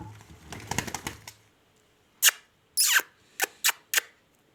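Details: Kashmiri rose-ringed parakeet, a Pahari ring-neck, giving a quick series of short, harsh, rasping screeches, one longer with a falling tone, after a stretch of rustling and knocking.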